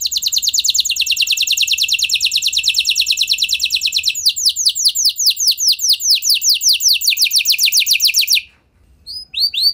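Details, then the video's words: F1 canary in vigorous song used to prompt other canaries to sing: a long, fast rolling trill of rapidly repeated high notes, shifting after four seconds to a slightly slower run of sweeping notes, then a brief pause and new phrases. "Bakal Langsung Nyaut Gacor Do00r Kenari Mana Saja Dengan Pancingan Kenari F1 Ini"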